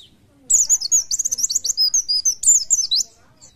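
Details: Oriental white-eye, a Buckpar-type bird in fit condition, in loud song: a dense three-second run of rapid high twittering notes, warbled and trilled, with a soft note before and after.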